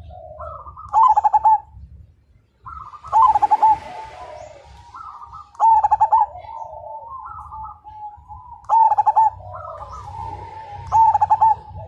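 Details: Zebra dove of the Majapahit strain, said to spur other birds into singing; loud staccato coo bursts roughly every two and a half seconds, overlapping cooing from other doves, and a low rumbling hum beneath.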